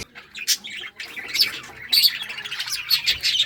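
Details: Lovebirds, various mutations, singing and chirping in loud shrill squawky bursts with quick high twitters between them.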